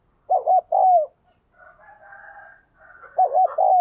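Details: Decoy spotted dove, meant to trigger quick cooing from wild birds, delivers two mellow coo phrases of quick doubled notes and a falling long coo, separated by a faint murmuring hum.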